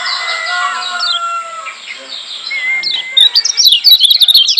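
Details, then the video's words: Lombok yellow white-eye singing to provoke other white-eyes: long, level whistled tones and faint twitters at first, then a sudden, loud burst of quick, sharp, high chirps. "Masteran Kecial Kuning Joss NGOTOT Ampuh Bikin Kecial Yg Denger EMOSI KEPANASAN"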